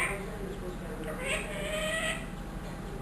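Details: Pet ringneck parrot, one year old and trained, speaking: a muffled, breathy phrase with a longer sustained nasal tone in the middle, low in level, backed by steady hum.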